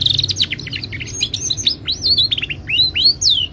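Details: A Timbrado canary delivers lively melodic phrases: quick repeated falling chirps, then arched whistled slurs and upswept notes in rapid succession over a faint hum.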